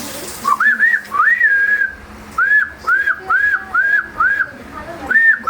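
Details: Talking myna kept indoors, urged by a person to whistle like a flute and horn, gives a run of clear, arched whistled notes rising then falling, about eight in five seconds, with short pauses and a person's voice.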